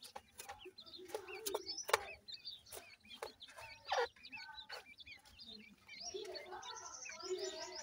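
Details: Black francolin chicks chirping with brief wavering high notes, then a longer run of rapid trilled peeps near the end, with loud clicks and rustling throughout.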